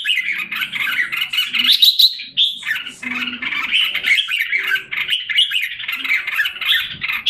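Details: Caged red-whiskered bulbul, Singapore, July 2017, back in form after molting: continuous rapid warbling chatter with bright, sharp notes and squawks, plus a faint low hum.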